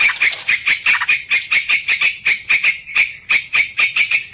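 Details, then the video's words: Lure recording of a sooty-headed bulbul for bird trapping: an even run of short, sharp chirping notes, about three per second, bright and slightly buzzy, over a constant high whine. "Pikat trucukan"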